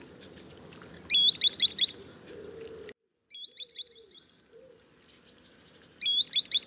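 Green sandpiper giving three bursts of high, ringing, upslurred whistles, four or five quick notes each, over a low rumble of background noise.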